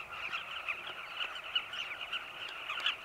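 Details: Carmine bee-eaters around their cliff colony at sunset in Zambia, catching insects for chicks in burrows; a dense, even chorus of rolling, chattering calls from many birds fills the air.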